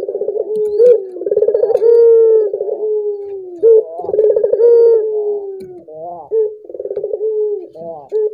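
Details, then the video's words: Collared dove cooing to trigger singing in other doves, with long drawn, slowly falling tones after rolling trills, the later phrases shorter and choppier, all low and mellow. "Suara burung puter ini membuat puter anda ikut gacor"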